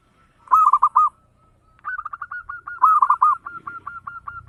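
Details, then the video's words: Local zebra dove singing the rapid 'ngayer engkel' style as a lure for other birds: one rolling warbled coo phrase, a pause, then a string of evenly spaced soft coos broken by a second loud rolling burst. "Suara perkutut lokal gacor ngayer engkel cepat mengajak gacor ampuh buat pancingan"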